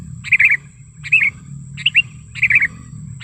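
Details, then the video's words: Sooty-headed bulbul calling in the wild, a lure call for drawing in bulbuls: four short bubbly warbled phrases spaced under a second apart, with a low rumbling background. "Suara Pikat Kutilang Gacor ASLI ALAM Lanjut NGGARUDA Ampuh untuk Masteran Kutilang & Pikat Kutilang"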